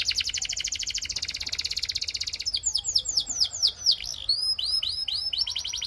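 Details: Singing Belgian canary: a rapid, even rattle of high notes for over two seconds, then loud downward-sweeping whistled notes given singly and in pairs, and a closing run of quick rising slurs.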